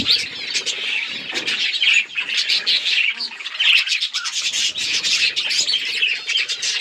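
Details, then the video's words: Budgies chirping on October 26, 2023, in a thick wall of shrill chatter. Squawky, buzzy notes and quick twitters pulse from many birds at once, briefly dipping before surging back. "Budgies beautiful colors and chirping sounds"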